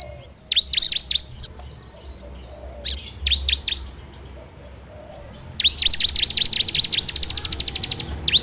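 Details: Bar-winged prinia, locally ciblek, singing for a training lure recorded on an Android phone: scattered sharp, downslurred notes at first, then a sustained, fast, even trill of high, clipped notes toward the end.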